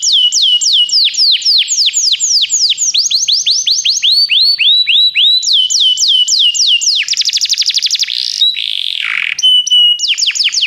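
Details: A canary sings to stimulate a pet canary into song. Long tours of rapid downslurred whistles shift in pitch and speed, broken by a buzzy trill and a harsh roll.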